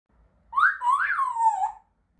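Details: Grey parrot; whistled call; communicating with other parrots and marking territory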